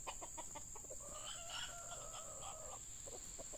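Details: Junglefowl male crowing at a decoy lure: a drawn-out, slightly wavering tonal crow of nearly two seconds, framed by soft repeated clucking notes over steady background hiss.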